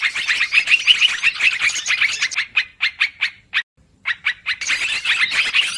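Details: Lure call of sooty-headed bulbul for bird trapping, thick chatter giving way to spaced single chirps, a short silence, then crowded twittering again.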